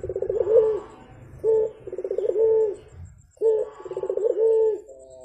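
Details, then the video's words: A Javan turtle dove (burung puter) gives lively morning calls: a rattling series of quick pulses ending in a held low coo, the phrase heard twice with a short pause between. "BURUNG PUTER GACOR , TEMAN NGOPI PAGI HARI BIKIN ADEM SUASANA"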